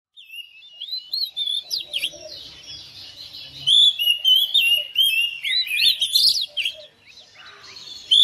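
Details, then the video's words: Oriental magpie-robin kept at home, singing in quick reply to another bird: a rich stream of high whistled notes, slurs and chattering phrases, bursts separated by short pauses. "DALAM HITUNGAN DETIK KACER RUMAHAN RESPON NYAUT IKUT GACOR"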